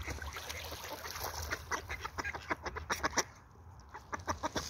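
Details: Ducks in the morning: a run of short, harsh, broadband quacks repeated several times a second, briefly pausing, then resuming, over faint background hiss.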